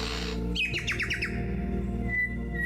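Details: A male Superb Lyrebird sings a mix of imitations and his own sounds, which can be heard up to a kilometre away: five quick, downward-sliding whistles, then a thin, steady whistle, over a low humming musical background.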